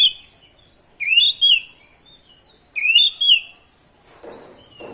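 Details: Oriental magpie-robin in full song, meant to rouse rival magpie-robins. Two matching bursts of rich, slurred whistles with high overtones are separated by about a second and a half of quiet. Faint soft rustling comes near the end.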